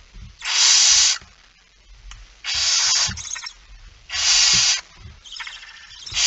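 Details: Barn owl at 23:55 on 17 September 2019, male arriving with a mouse: three harsh hissing bursts roughly every one and a half seconds, then a shorter broken hiss, with thuds and rustling throughout.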